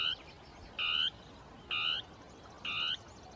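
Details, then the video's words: Territorial song of a Dusky tapaculo (Scytalopus fuscus) in scrub, two birds interacting; clean, loud harmonic notes roughly every 0.9 seconds, each lasting about a third of a second, over quiet hiss. "CHURRIN DEL NORTE (Scytalopus fuscus) CANTANDO"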